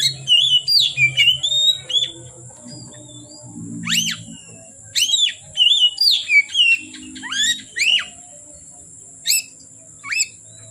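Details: Oriental magpie-robin singing into the dark: many short sharp whistled and chattering notes in quick bursts, some steeply falling, with pauses between; low hum and high hiss underneath.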